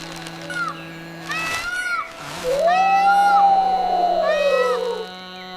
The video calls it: প্রথম সা এসেছে ময়ূরের ডাক থেকে। এবার শুনুন ময়ূরের ডাক।